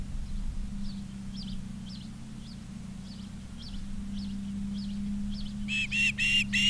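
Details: At an osprey nest in Charlo, Montana, in August 2023, faint scratchy chirps come first. A burst of four loud, clipped whistles closes the clip. A steady low hum persists.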